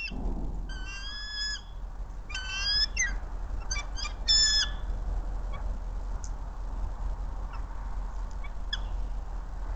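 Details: Bald eagle pair at the Hays nest, March 28, 2024, while the male delivers a fish to the female. A few seconds of high, squeaky chirping phrases, then quieter background hiss and low rumble with faint scattered clicks.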